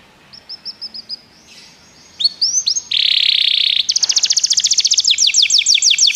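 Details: Canary singing for song training: a row of short high piping notes, then a dense buzzy burst, then a fast, loud trill of sharply descending notes repeated many times a second.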